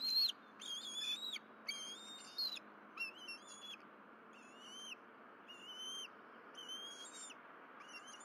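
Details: Bald eagles at the Berry College nest on a morning of 12 April 2023, during fish deliveries by the mother and feeding by the family on the nest: a run of high, thin whistled notes with squeaky overtones, given in short bursts about once a second.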